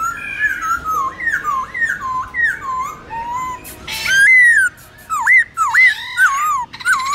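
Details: Black-throated laughingthrush singing the wild voice used to train young birds. Mellow whistled phrases with rising and dipping slurs are repeated, then louder, sharper swooping whistles follow, broken by a harsh burst.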